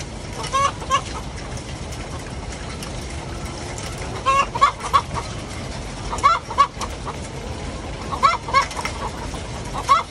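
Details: After laying an egg, a hen gives harsh, loud squawking cackles in pairs and triplets, spaced about two seconds apart, against constant low background noise.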